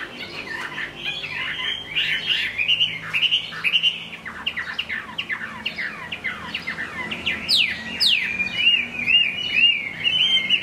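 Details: Chinese hwamei singing in the rain: a fast, varied stream of loud whistled notes, many sharply falling slurs repeated about twice a second, ending in high rising sweeps and a rapid trilled warble.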